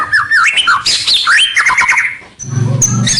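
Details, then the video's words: White-rumped shama singing a lure song meant to draw rivals closer: varied whistled phrases sliding up and down, then a lower rapid buzzy rattle with a thin high whistle at the end. "Suara Pikat Murai batu paling gacor, Bikin lawan mendekat"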